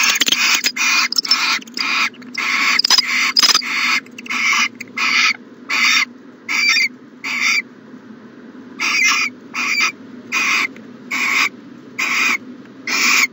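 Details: Owl at a nest box in the morning, 14 January 2020: a long series of harsh, hissing rasps, about eighty a minute in uneven bursts, the early ones crowded and overlapping, with a steady low hum underneath.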